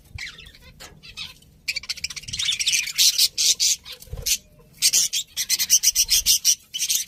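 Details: Pet budgerigars chirping: dense bursts of scratchy, high chatter in rapid pulses, growing busier and louder after the first two seconds, with a short pause near four seconds.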